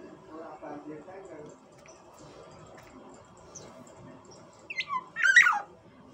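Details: Black-naped oriole, Sumbawa, giving a short burst of rich whistled and rising notes near the end, after several seconds of low background chatter.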